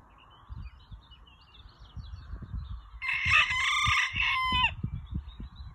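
A Dutch bantam rooster gives one loud, strained crow lasting under two seconds, ending in a falling note, over low background rumble and faint chirping.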